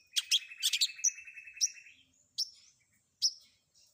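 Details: Long-tailed shrike, combination filler song used to draw answers from other shrikes. Harsh scratchy bursts run over a steady buzzing trill, then three isolated sharp upslurred chips follow with pauses between them.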